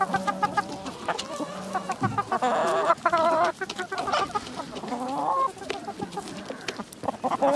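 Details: Village chickens: short clucks at first, then a loud sustained harmonic cackle around three seconds, followed by further drawn calls and softer clucking from other birds in the flock.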